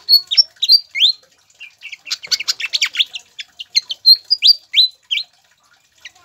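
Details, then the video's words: Pied fantail song for prompting caged birds to sing: clear, high rising whistles repeated in quick series, broken by a dense burst of sharp chattering chips, then more upslurred whistled notes. "PANCINGAN DAN MASTERAN SIKATAN KIPAS AGAR CEPAT GACOR"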